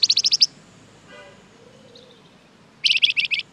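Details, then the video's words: Flamboyan bird chattering as a lure for other birds: two rapid runs of high, sharp chirps separated by a quiet gap holding a faint low cooing sound. "Suara pancingan burung Flamboyan gacor terbaik , pasti nyaut"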